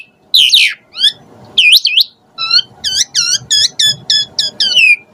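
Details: Asian pied starling song: a loud slurred opening, scattered whistled notes, then a fast run of about ten repeated rising-falling chirps, each with stacked harmonics, ending in a downslurred whistle.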